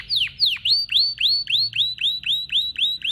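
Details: Male domestic canary song, a pet finch: a couple of sharp downward whistles followed by a steady tour of rising upslurred whistles repeated about four times a second, clear and even.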